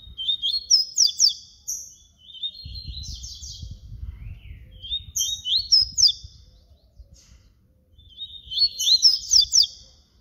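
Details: Yellow-bellied seedeater (papa-capim baiano) singing in the flute style (canto flauta): three bursts of high, sharp whistled and slurred notes, each phrase about a second long, with low rumbling background noise between.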